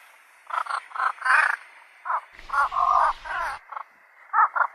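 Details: Javan pond heron calling: harsh, hoarse croaks near one pitch, given singly and in short uneven runs, some drawn out and raspy, with quiet gaps between.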